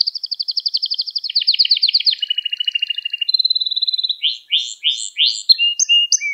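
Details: Gloster canary song to stimulate other canaries: a long rapid trill stepping lower in pitch, a steady mid-pitched rattle, then spaced loud down-slurred whistles and short high notes.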